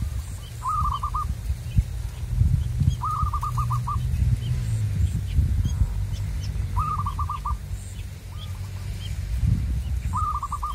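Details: Zebra dove, a local bird from the wild pursued with decoy luring, repeating a short rolling phrase of quick staccato coos five times over about ten seconds, with low rumbling noise beneath.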